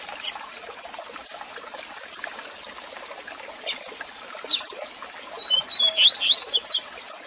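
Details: A rusty-collared seedeater, in a "Tui Tui Zel Zel" song recording used for training young birds, gives a quick run of short, bright whistled notes near the end, after a few scattered high clicks, over steady hiss.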